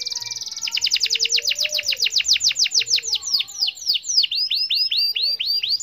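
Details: Canary singing to lure silent canaries: a fast series of sharp descending whistled notes that slows into evenly spaced, looping whistles.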